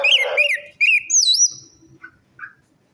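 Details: Orange-headed thrush song used as a lure to get a silent or stressed bird singing: a buzzy, harmonic-rich opening overlaid on a lower hum, then high looping whistled phrases, followed by faint short notes.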